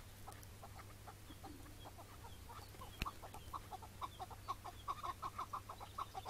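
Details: Chukar partridge on a May 2017 morning during a decoy partridge hunt, when a wild bird came in and was caught, then released; scattered notes build into a fast run of hoarse chuk notes, with faint background hiss and one sharp click.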